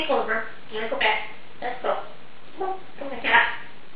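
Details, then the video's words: Indoor female Congo African grey parrot, award-winning talker, reciting vocabulary; a rapid string of human-like syllables and short words with no clear gaps, steady low hiss behind. "Best talking parrot in the world!"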